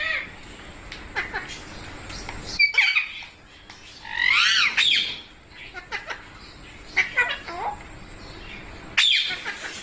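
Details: Parrot vocalising in a noisy room: scattered clicks and short squawks, then a loud tangled harmonic outburst midway, more brief squeaks, and a sharp call at the end over a steady background hiss.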